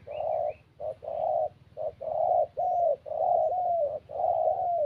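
A spotted dove gives soft, hollow coos in a steady series of short low phrases, about one per second, with a faint chirp from another bird at the start.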